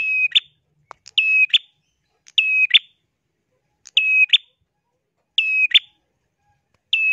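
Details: Lively prenjak, the bar-winged prinia, repeating a shrill call: a quick tick, a level whistle held briefly, and a sharp closing note. The phrase returns about every 1.4 seconds in near silence.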